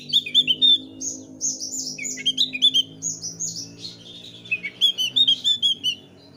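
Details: Thick-billed white-eye (Heleia crassirostris) song: a lively, high, rapid run of sweet chirps and slurred whistles in quick bursts over a faint low hum, used as a lure to get young white-eyes singing.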